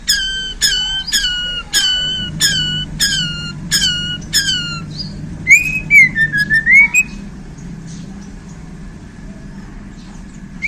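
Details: White-rumped shama from Borneo after being handled: seven loud, evenly spaced sharp downslurred notes, then a wavering whistled phrase, then near quiet with low hum.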